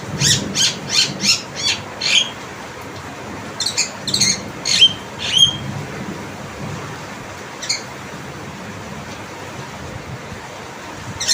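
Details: Tame Javan myna giving a quick burst of about eight harsh, buzzy squawks, a pause, then a few more scattered rasping notes and one faint final call over a low background hum.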